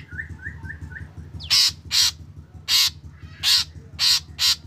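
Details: Black drongo lure recording for starting other drongos singing. Four short whistled upslurs are followed by six loud, raspy, broadband notes at roughly half-second intervals, with a low rhythmic hum beneath.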